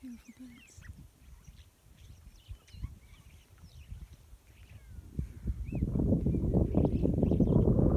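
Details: Hundreds of starlings gathered on wires in a field make an otherworldly chorus of overlapping slurred whistles, squeaks and clicks, increasingly buried under a loud low rumble, like wind, through the second half.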